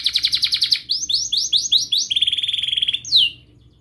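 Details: Canary singing a long, vigorous song meant to coax young canaries into learning to sing; fast repeated buzzy rising notes in groups, then a long rapid trill and a final sharp descending note.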